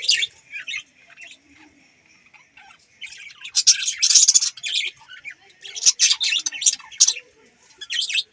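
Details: Budgies give a few isolated chirps, then break into a loud burst of overlapping squeaky warbling from about the third second, with sharp chirps continuing to the end.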